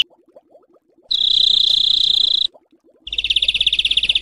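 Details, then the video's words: Harsh 'besetan kasar' rattles used to train songbirds for home keeping and contests: a dense buzzing trill lasting over a second, a short quiet gap with soft clicks, then a coarser pulsed rattle. "Masteran Besetan Kasar Mematikan"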